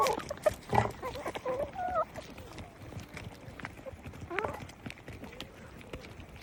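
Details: Chickens making a handful of curving, whining notes and soft clucks in the first two seconds, then quieter rustling with a single faint note later.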